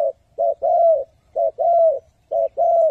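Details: Spotted dove calling in the 'three hậu, thúc, gù' decoy style meant to draw wild doves to traps: three even pairs of a brief coo then a sustained, slightly falling coo, cleanly recorded with little background.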